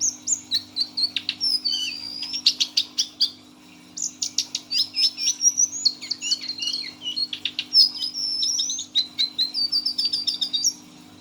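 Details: Kept lesser shortwing, six months old, singing 'teler' style: bursts of rapid clicking chirps alternating with bright, wavering whistled phrases, brief pause near four seconds, then more, with a low steady hum throughout.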